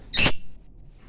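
A lovebird gives one sharp, high, shrill chirp lasting about a quarter second, then quiet room hum.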